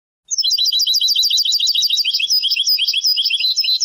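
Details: European goldfinch, Moroccan Sebtaoui song style of the late 1990s and early 2000s, from an old cassette: a long, continuous rapid trill of bright clipped notes that slowly smooths into more liquid twittering.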